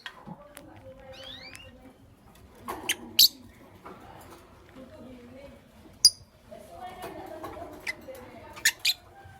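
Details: Morning chirping from lovebirds, a green Fischeri and a pastel blue: a pair of fast upward-sliding chirps early on, then scattered sharp clicks and snaps with low murmuring tones in a quiet room.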